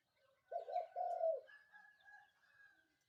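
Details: Morning call of a spotted dove: a short two-part hoarse coo, a brief double note then a longer drawn-out one, with faint thin whistles of other birds behind.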